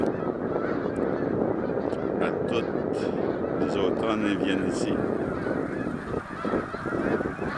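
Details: Hundreds to thousands of snow geese gathered in autumn at the Drummondville sailing club on the St. François River, where they return every fall; a massed chorus of overlapping honks, with a man speaking briefly over the flock.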